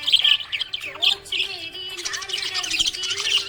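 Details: Happy budgie giving loud, piercing chirps early on, then a dense stretch of twittering warble, with a low musical drone behind.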